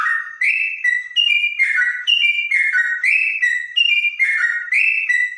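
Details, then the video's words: Trotok song with a clear tone compared to the straw-headed bulbul: a continuous run of loud, fluty whistles stepping between higher and lower pitches in a bouncy, repeated pattern. "Burung trotok bonang suara bening rasa cucak rowo"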